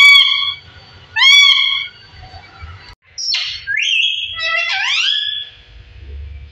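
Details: Parrot aged 15 years talking: two clear whistled tones with harmonics, then wavering, sliding speech-like syllables, over low background hum.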